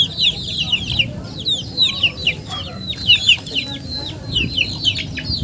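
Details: Many chickens peeping, with sharp high down-slurred notes in irregular clusters, some louder peaks standing out over a murmuring low background.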